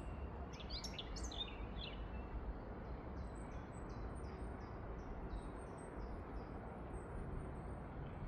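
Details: A European robin in Tivoli Landscape Park, Ljubljana, on 10 May 2024 gives a brief burst of high, tumbling notes, then a long run of thin, very high ticking notes, over a steady low rumble of distant traffic.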